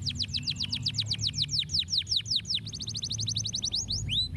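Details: Canary song meant to stimulate other birds to sing: a long series of quick, evenly repeated downward-sweeping notes that shifts into a faster, tighter trill, over a steady low rumble.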